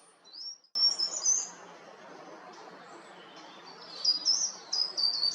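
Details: Short-toed treecreeper, coastal woods at Taramancos, Ría de Noia: high, thin, slightly descending squeaky notes in short clusters, quiet in the middle, then a bright string of piercing calls at the end over low background noise.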